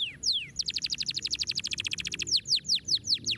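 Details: Canary song intended to prompt lazy birds to sing, opening with two downslurred whistles, then a long fast trill of repeated notes, and finishing with slower, evenly spaced downslurred notes.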